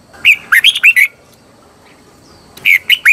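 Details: Red-whiskered bulbul decoy singing to call wild birds, a quick run of five clear whistled notes with swooping pitch, then a second phrase starting after a short pause, light background hiss.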